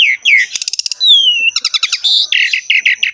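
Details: Javan pied starling in vigorous 'ngerek' singing, used as a tutor recording for kept starlings: sliding whistles, then fast clicking rattles, a long falling whistle, and bursts of harsh chattering notes, with a steady thin high tone behind.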